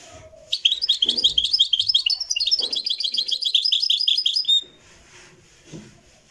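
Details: Moroccan goldfinch performing Marrakchi-style song in a live recording: a four-second run of fast, chattering, silvery twitters and buzzy trills, then brief low voices.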